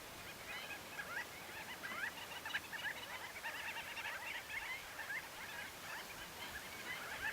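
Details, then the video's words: A flock of about 12 to 45 common shelducks (Tadorna tadorna) foraging at Tancat de Milia reserve beside l'Albufera lagoon in April, with males displaying, keeps up dense, overlapping nasal yelping calls and short rising whistles. "Common Shelducks | Tarros blancos"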